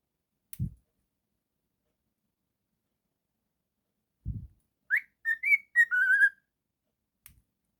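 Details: Pet cockatiel indoors: mostly quiet with a few dull knocks, then a short whistled phrase of rising and level notes ending in a drawn-out steady whistle.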